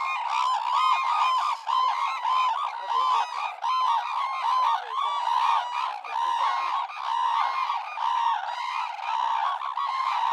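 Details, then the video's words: Red-crowned crane (Grus japonensis) calling: a dense, continuous chorus of loud, trumpeting honks with rich harmonics. The calls overlap and pulse without pause across the whole stretch. "Red Crowned Crane Sounds"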